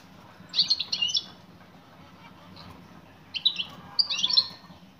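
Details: Female European goldfinch calling to a male, giving two groups of high, jangling twittered chirps separated by a quiet pause, with a steady faint low hum behind.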